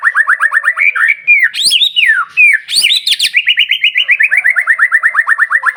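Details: Loud White-rumped shama song meant to stir up other shamas: long runs of rapid repeated chirping notes, about three per second, broken by sharp high cracks and swooping whistles.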